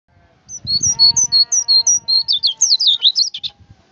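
A white-eye sings a fast, high twittering string of sweet chirps, about three a second, that quickens toward the end over a faint steady hum.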